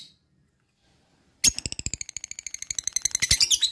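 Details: Training sound for lovebirds, played so they sing diligently and ngekek without fear: silence, then a sudden fast stream of high, buzzy repeated notes running for over two seconds and getting louder at the close.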